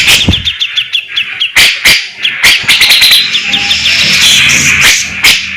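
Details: Loud, prolific cucak jenggot, the grey-cheeked bulbul, with competition shots and speedy besetan: a run of quick high chirped notes, then sharp harsh bursts over a shimmering buzzy band and low hum.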